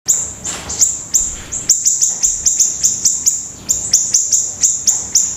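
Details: Pleret bird singing gacor, in full voice: a rapid series of sharp, very high, bright chips, about three per second, each a short downward flick, steady and loud against a quiet background.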